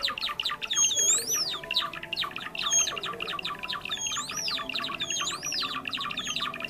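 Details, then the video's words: Java sparrow trapping-lure recording, a bird of rice paddies and fields: constant busy chirping from several birds, broken by loud looping whistles that rise then drop, about four in quick pairs. "SUARA PIKAT BURUNG GELATIK JAWA"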